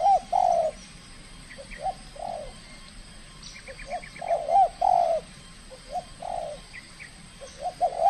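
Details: Trained tekukur (spotted dove) from Kepri in its first contest, showing aggression: a loud, low, mellow coo phrase rises and falls, pauses, then repeats several times, with soft short notes between and a faint high chirp series from another bird.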